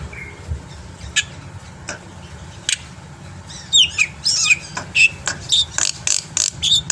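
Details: Black-winged myna singing to draw other birds into song: a quiet opening with a few isolated clicks, then a run of loud, evenly spaced sharp notes and short whistles, roughly two per second, against a low background hum.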